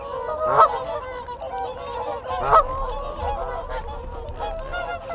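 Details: Contact calls of a whooper swan group at close range. Two loud bugling honks about two seconds apart rise above steady lower honking from the flock. Wigeon and Canada geese call in the background.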